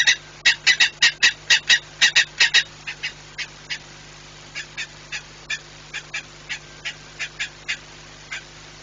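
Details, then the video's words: A saker falcon at its nest in Płock, Poland, January 2018, around departure: loud, harsh notes in a quick series that slows and fades to softer, spaced calls. "Shouting Saker arrived to the nest"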